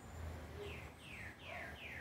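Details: Green-winged saltator, known in Brazil as trinca-ferro or tempera-viola, singing. Four clear whistled notes, each sliding downward, follow one another at steady half-second intervals over a loud, low background rumble.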